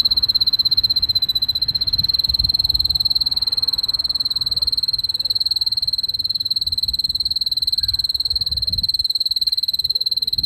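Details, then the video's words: Canary singing beneath a wisteria trellis in Nara Park, Japan: a steady, rapid trill of pure high notes, about four pulses per second, held evenly for the whole stretch over a faint low background rumble. "Singing voice of 🐤Canary"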